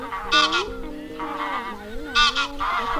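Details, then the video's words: Flock call of wild geese used by trappers as a net lure; two loud, harsh double honks about two seconds apart, with lower wavering honks between them. "Tiếng Ngỗng Trời - Tiếng Con Ngỗng Trời Kêu Gọi Bầy"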